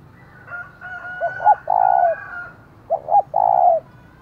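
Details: Loud rival-provoking call of a decoy spotted dove with a 'giọng thổ' voice. Two phrases of paired short coos and a long husky coo, over a rooster crowing at the same time.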